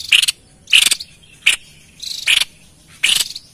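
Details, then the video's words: White-chested babbler singing actively, a recording meant for luring wild birds: five rasping, pulsed bursts, some with a clear note at the start, spaced roughly every three-quarters of a second. "Tepus Dada Putih Gacor l Cocok Untuk Pancing Bunyi & Pikat Burung Liar"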